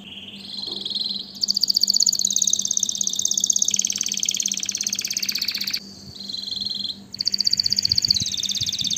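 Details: Singing canary switching between distinct rolling tours: a mid-pitched trill, a loud high rapid rattle, a lower buzzy stretch, short pauses and a fresh fast trill; faint rustling below.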